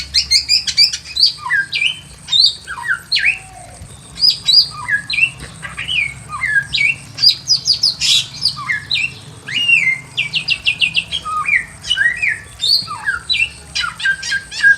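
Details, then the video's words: Pekin robin (samyong) kept in a simple aviary, singing with a natural wild voice: varied whistled phrases, quick chirps and sharp clicks, a fast run of repeated notes near the middle, ending with buzzy trills over faint hum. "KICAUAN BURUNG SAMYONG GACOR SUARA ASLI ALAM LIAR DI KANDANG AVIARY SEDERHANA"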